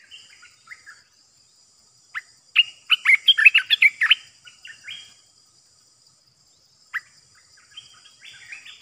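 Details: Olive-winged Bulbul kept caged as a trapping decoy calls in bursts. A loud, rapid jumble of liquid chirps and whistles is set between quieter notes, with a sharp lone chirp later and softer phrases at the end.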